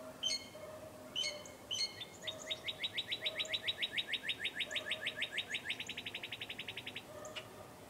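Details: Birds heard outdoors at about 8 in the morning: a few sharp high chirps, then a long fast rattling trill of repeated notes, about three a second, slowing slightly before stopping, with a faint lower whistle behind.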